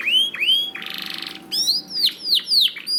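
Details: Canary singing on a master recording for training: looping downslurred whistles around a short buzzy rattle, then several loud arched notes repeated about twice a second.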